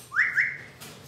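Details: Indoor pet Amazon parrot gives a quick double whistle, two rising notes run together into a level tone that fades.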